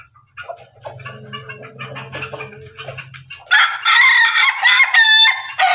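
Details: Pelung and Ketawa roosters crowing together: soft broken calls over a low steady hum for three seconds, then a loud harmonic crow with rapid stuttering pulses near the end.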